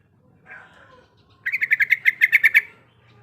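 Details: Sooty-headed bulbul female, in breeding condition, calling to a male: a soft low murmur at first, then a quick burst of about ten sharp, ringing notes in an even series.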